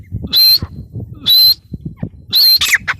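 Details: Three separate high, shrill, strained notes from a teetar or grey francolin, spaced about a second apart, the last followed by a quick squeaky flourish, over a quiet low background.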